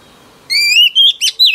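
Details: Wild-caught female oriental magpie-robin singing to provoke males, with a rising clear whistle then three short, sharp warbled notes in quick succession.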